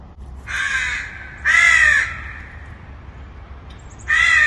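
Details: Crow calling from a distance with three harsh, drawn-out caws, each about half a second long and separated by gaps of one to two seconds, the second and third louder and more nasal.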